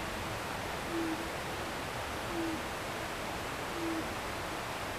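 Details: Owl calling after sunset on a wooded hill behind a home in Japan: three short, low, soft hoots spaced about one and a half seconds apart, half buried under the steady rush of a nearby river.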